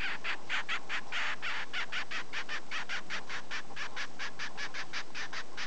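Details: A pet double-barred (owl) finch, noisy while being petted after a full meal, gives a fast run of harsh, nasal call notes, about four a second, in an unbroken chatter.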